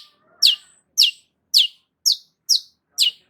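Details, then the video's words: Six loud, piercing chirps from a Long-tailed shrike, each dropping steeply in pitch, evenly repeated roughly every half second. "BURUNG CENDET GACOR"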